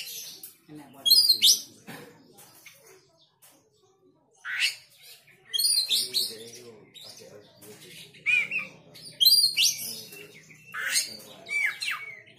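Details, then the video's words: Oriental magpie-robin, riled up and joining in: repeated loud bursts of sharp whistles and scratchy notes every second or two, with a faint low hum beneath. "Kacer mana yang gak emosi dan ikut bunyi"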